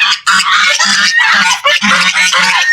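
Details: Several large white domestic ducks in an enclosure at a zoo park in a public garden in Ahmadi, Kuwait, call together for no known reason: loud, harsh, nasal honks overlapping almost without pause in quick bursts.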